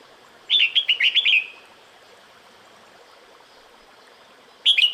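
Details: Red-whiskered bulbul female calling to a male during breeding season, a fast string of five or six bright whistled chirps, then a long pause with low hiss before the next burst begins.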